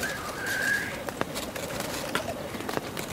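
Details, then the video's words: Black grouse displaying at a lek: a low, continuous bubbling coo runs beneath sharp, breathy hisses that break in every second or so. "Le parate del fagiano di monte"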